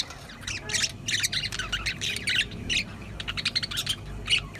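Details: Several budgerigars chattering in dense bursts of scratchy chirps and squawks, ending with one clear sharp note, over background rumble.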